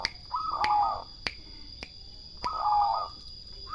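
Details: Turtle doves singing two soft, rolling purred phrases about two seconds apart, each under a second long, with sharp snapping clicks between them and a faint constant high-pitched hum behind.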